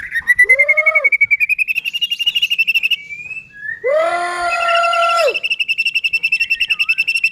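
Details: Shama (murai batu) singing in top form to provoke rival shamas: long runs of rapid even high chirps around a steady pitch, broken by two loud rich drawn-out whistles with strong low tones.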